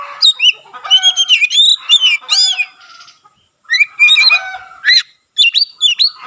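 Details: Oriental magpie-robin singing hard with its tail opened, a song said to encourage other magpie-robins to sing; quick strings of ringing whistles and upslurred notes in two bursts separated by a pause.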